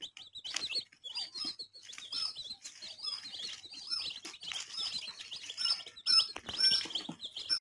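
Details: Baby chicks, colourful, peeping together in a steady stream of high, quick chirps, about two a second, overlapping from several birds, with a few louder sharp peeps near the end.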